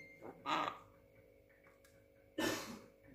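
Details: Young Javan myna, six months old, said to be clever at talking: two loud, rasping, broadband bursts about two seconds apart, the first with a short lead-in, in a quiet indoor setting.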